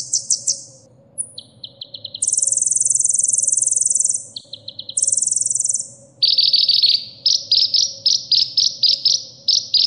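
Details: Mixed sunbird song material for tutoring caged birds: short high chip series, two long sustained buzzy trills, then a run of sharp descending-sounding notes repeated rapidly in quick bursts.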